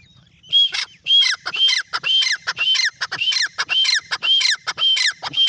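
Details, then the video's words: Francolin calling: loud, harsh, squawking notes delivered in a fast steady series, roughly two bursts each second, following a brief quiet start, with a faint low hum underneath. "Teetar ki Awaz | Teetar voice | Teetar Calling | Francolin"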